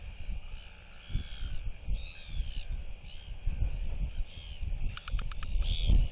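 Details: Royal albatross chick whistling in display beside two other chicks while neighbours clack back, 8 July 2023; arching, wavering whistled calls recur through gusty wind, with a short run of sharp bill clacks near the end.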